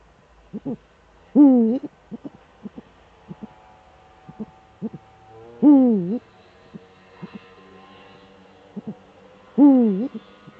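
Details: Duetting Eurasian eagle-owls in the Eifel, male at the nest, December 13, 2013, 17:25. Three strong bending hoots about four seconds apart, with brief soft notes scattered between them.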